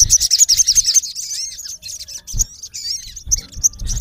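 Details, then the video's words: Male olive-backed sunbird calling a rival: a rapid burst of very high, thin chirps for about a second, then scattered twittering notes and short rising whistles, with low thumps in the background. "MALE SUNBIRD CALLING RIVAL -SOGON GACOR MEMANGGIL LAWAN KASAR"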